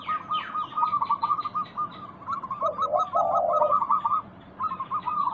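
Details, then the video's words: Lure recording of a local zebra dove singing to set other doves calling: quick, evenly repeated cooing notes in bursts, broken by a lower drawn-out coo midway, with faint higher chirping from other birds behind. "Pancingan Ampuh burung perkutut lokal bikin nyaut kutut sekampung Untuk Atasi macet bunyi"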